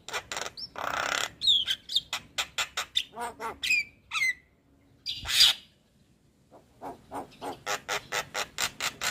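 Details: Javan myna of the white-eyed kind, played to prompt lazy birds to sing: harsh broadband rasping bursts and squawks mixed with short sharp whistles and rapid clicking pulses, with a brief pause midway before the rattling resumes.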